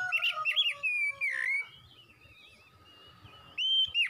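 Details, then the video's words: Oriental magpie-robin singing fast, a string of sweet whistled notes and sharp down-swept slurs, a softer warbling pause in the middle, then a loud rising whistle and twisting phrase at the close. "MASTERAN KACER CEPET GACOR"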